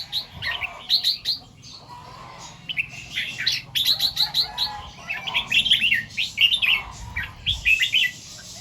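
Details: Red-whiskered bulbul singing in the morning, delivering the song styles locally called doubled two-to-three ('bear 2-3') and 'rik'. Bright, chirpy warbled phrases in quick bursts, clustered near the start, middle and end, with sharp clicking notes between them.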